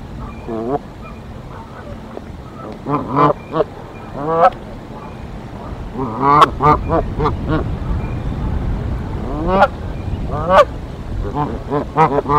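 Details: Canada geese defending a Decorah nest from an intruder goose, 1 April 2024: scattered then clustered honks, some loud and braying, over a rumbling background.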